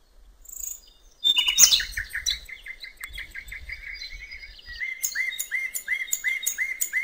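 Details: Common nightingale singing on a riverbank in open nature; after a faint opening note, a loud chattering burst gives way to a long series of repeated short slurred notes, roughly three per second.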